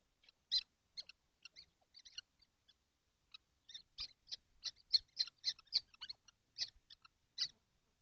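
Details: A nesting box holding seven kestrels on a hot day, 12 June 2025. Dense run of shrill, short squealing calls from several birds, rising into rapid overlapping bursts of about four calls per second midway, with soft thumps.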